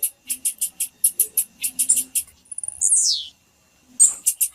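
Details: Female blue-black grassquit calling: bursts of short, very high chip notes repeated several times a second, broken by one long, bright, downward-sliding whistle, then more quick chips.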